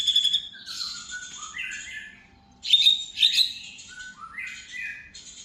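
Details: White-rumped shama singing to provoke other shamas: short bursts of high sharp whistles and downward slurs separated by quieter pauses, with a softer rising-and-falling phrase between them.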